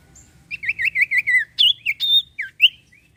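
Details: Lively song of a common iora, played as a lure to prompt untrained birds and silent birds to sing. A fast run of bright, wavering whistled notes, roughly twelve in three seconds, with a few sharp rising and falling slurs.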